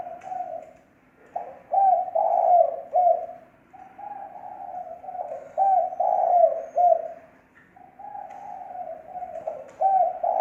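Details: Spotted dove lure call in thổ mồi style, clean recording: steady cooing, with phrases of three or four low, hollow notes repeated about every four seconds.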